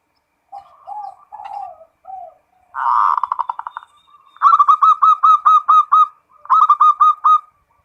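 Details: Zebra dove of the local type giving full ngerot song, meant to boost breeding urge: soft low coos, a rough rolling burst, then two series of loud, ringing, evenly repeated notes.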